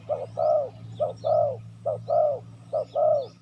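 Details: Spotted dove lure call to attract wild doves: four quick phrases, each a short clipped hoot followed by a longer rolling, falling coo, repeated about every 0.8 seconds, with faint high whistles from other birds behind.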